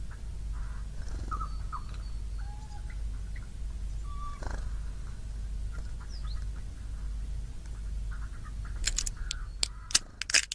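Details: Wild Siberian jay mimicking a cat's meowing: soft, nasal mewing notes in a few short phrases over a low rumbling background, ending in sharp clicks and knocks.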